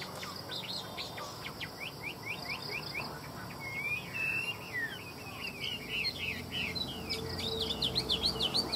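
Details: Chinese hwamei kept as a cage bird in Vietnam, delivering quick clipped whistles that build into a dense, rapid warbling stream of sweeping and rising notes toward the end, over a low background hum.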